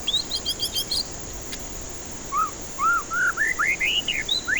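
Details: White-rumped shama song as a lure for stressed birds that refuse to sing. A burst of fast high chips, then a sequence of arched whistles climbing step by step in pitch, ending with a steep upsweep.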